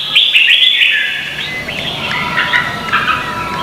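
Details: Vietnamese red-whiskered bulbul in a singing contest, a lure recording for training birds: quick chirpy whistled notes at the start, then softer overlapping warbled phrases over steady background hiss.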